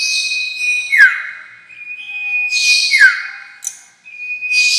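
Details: Sirtu lure call used to attract birds for trapping: a long steady high whistle ending in a quick downward slurred note with a sharp click, repeated about every two seconds, with hissy high chirps in between.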